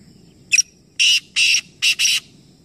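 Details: Black francolin, one of three birds calling together in a calling competition at Nawabshah, Pakistan: a sharp short opening note, then four loud harsh grating notes, the last two run together, over a low steady rumble.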